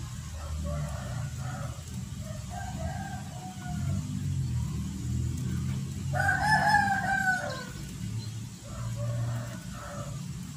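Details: Chicken farm with roosters and hens: several harmonic crowing phrases, the strongest a two-second crow midway, over a constant low rumble.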